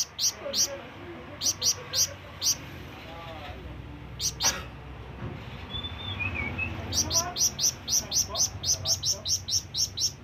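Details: ['Flamboyan bird calling for rivals or companions: a few isolated sharp high chirps, a quieter stretch with thin whistles and faint low murmuring, then a rapid regular series of piercing chirps.']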